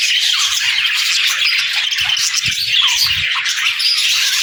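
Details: Budgerigars warbling nonstop, many birds piling bright whistled chirps and harsh squeaks on top of one another, with faint low clicks and taps below.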